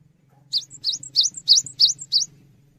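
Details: Cinereous tit in full voice as tutor song: six evenly spaced high phrases, each a piercing descending note paired with a thinner whistle, delivered about three a second over a soft low hum.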